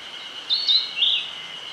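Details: Narcissus flycatcher singing in the Nishi-Zao highlands, Yamagata City, Yamagata Prefecture, Japan: two short, bright, warbled high phrases about half a second apart, over a steady high-pitched drone that runs through the whole recording.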